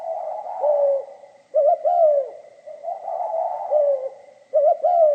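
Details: Spotted dove in pha kim voice: mellow cooing phrases, each starting with two brisk clipped notes and ending in a long, drooping coo, repeated about every three seconds over a faint constant hum.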